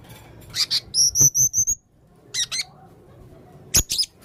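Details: Male blue-crowned hanging parrot singing actively. Thin, very high squeaky chirps and sharp whistled notes in quick bursts, including a run of short paired high whistles, over a faint low rumble.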